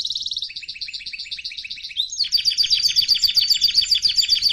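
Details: Canary singing for training, a quick trill followed by a steadier series of repeated two-part chirps, then a louder, higher rhythmic rattling phrase.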